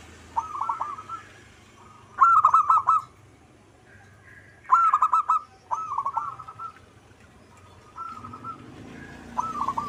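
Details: Local perkutut, the zebra dove, singing actively in manggung style: repeated short bubbling phrases of quick coos, each about a second long, spaced by brief pauses over faint low noise.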